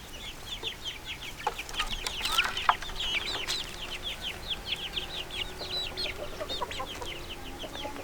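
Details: Little chickens chirping together, a flock of chicks giving rapid high, thin peeps in an irregular overlapping chorus, with a few sharp knocks and faint low hum behind.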